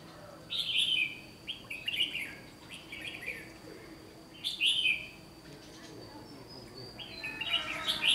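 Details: Red-whiskered bulbul at a trap, a bird trained for competitive singing, recorded 1 July 2020; loud lilting whistled phrases repeated every one to two seconds, with brief quieter chirps between them.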